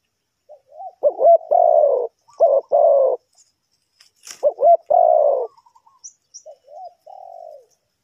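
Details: Spotted dove used to lure wild birds into a trap in Ninh Thuận, Vietnam: two clusters of deep, rounded coos, each starting with short wavering notes and ending in a longer, falling hoot, with faint high chirps between.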